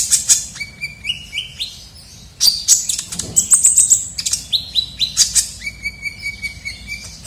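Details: A chatty kolibri ninja sunbird, recorded as a luring sound, mixes shrill high chirps with rising series of short whistled notes, then a rapid run of sharp calls.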